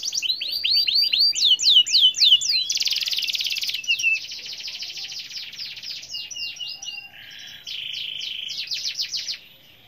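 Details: Canary in energetic, nonstop (gacor) song meant to prompt other canaries to sing: rapid high looping whistled notes, a dense buzzy rattle for about a second, then descending sweeps and a final fast trill fading out.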